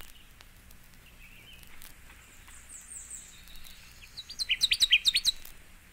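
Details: Connecticut Warbler singing: after a few seconds of quiet background hiss, a loud burst of sharp, chippy notes repeated rapidly about eight times, rising in volume and then cut off.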